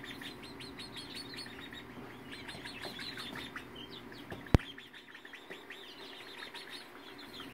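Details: February 2018 chorus of Polish, Faverolles and Partridge chickens: rapid bursts of high chirps repeated in quick runs, many birds calling at once, a sharp tap near the middle and low rustling.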